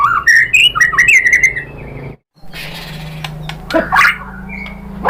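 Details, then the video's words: Song of a white-rumped shama meant to stir other birds to sing: a quick run of bright whistled phrases, a sudden silent break, then scattered sharp notes over a low hum. "PANCINGAN MURAI ¦ SHAMA BIRD"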